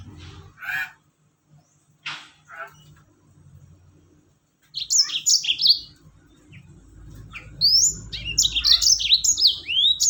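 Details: Yellow-fronted canary singing in the rol tembak style, a tutor recording meant to get other birds singing; after a few low chirps and noises, bursts of high, rapid, sweeping whistled notes come in quick strings, growing denser toward the end.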